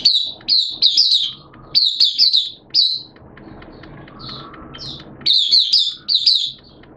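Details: Oriental white-eye kept as a hobby songbird, singing in wet, erratic weather: several bright, high chattering phrases made of quick slurred chirps, with a quieter middle stretch that holds soft scattered notes over background rumble.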